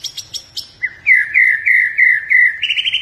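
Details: Gacor white-rumped shama of the blorok colour variety singing: a few short high notes, then a loud run of repeated slurred whistles held at one pitch, rising slightly at the end.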